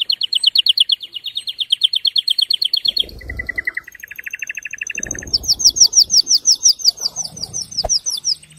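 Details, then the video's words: Male canary singing an excited, powerful song meant to stimulate hens and males to mate: fast trills of repeated high notes, shifting through several distinct rolling tours, with brief low rustling between phrases. "تغريد هائج قوي لذكر كناري من أجل تحفيز أنثى وذكر الكناري على التزاوج"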